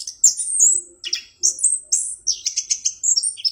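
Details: Orange-headed thrush, a kept songbird, in clear, varied song: rapid high whistled phrases and trills, many notes sweeping down, delivered in quick bursts with brief pauses.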